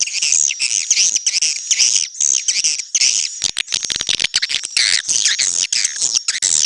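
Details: Swiftlets in a neutral-style recording: dense, high twittering chirps and squeaky trills, with a thin sustained whistle-like tone running through, in rapid bursts broken by short gaps.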